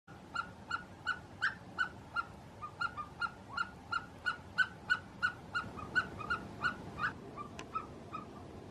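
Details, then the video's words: Himalayan snowcock calling in the Gilgit-Baltistan mountains: a long, rapid run of clucking, ringing notes, about three a second, kept up for nearly nine seconds with a few stronger accents, over a quiet background. "himalayan Snow cock calling in Gilgit baltistana mountains"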